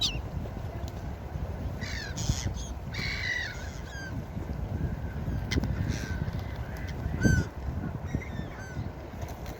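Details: Seagulls calling over the beach: a run of quick, strident, downward-bending cries early on and a lone sharp cry near the end, with steady surf noise throughout.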